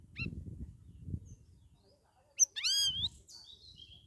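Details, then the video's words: Straw-headed Bulbul (cucak rawis), caged and in its second week from a communal holding cage, singing vigorously. After a short high note and a pause comes a sharp click and then a full, liquid rising-and-falling whistle with low background murmur. "CUCAK RAWIS DARI OMBYOKAN MINGGU KEDUA SUDAH GACOR"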